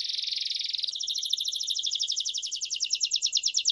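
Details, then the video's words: Belgian crested canary singing and calling: a dense, high buzzy trill for about one second, then a long run of rapid, evenly pulsed chirping notes that steadily speed up and grow louder toward the end. "CANTO DO CANÁRIO BELGA TOPETE CHAMANDO"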